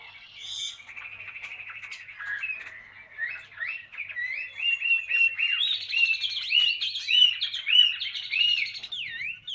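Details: Chinese hwamei, old wild-caught bird caged for two years, in ngũ trường song: soft chatter at first, then a run of loud, bouncing whistled notes, each a quick upward or downward slur, repeated about twice a second.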